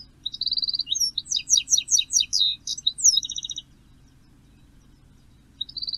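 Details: Goldfinch on a perch, 06:16 on 14 May, Poole Harbour, giving a sustained liquid twittering phrase of quick high chirps and trills for about three and a half seconds, then quiet before a new phrase starts; steady low background hum.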